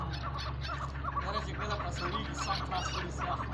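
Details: Chukar calling in quick, irregular bursts of harsh clucking notes over a steady low drone.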